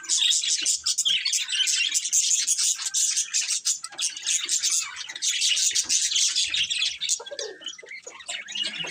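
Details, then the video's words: Group of budgerigars producing nonstop warbling chatter: quick, high, squeaky chirps crowding one another, with a few lower, softer notes toward the end. "Cute Budgies Chirping Sounds"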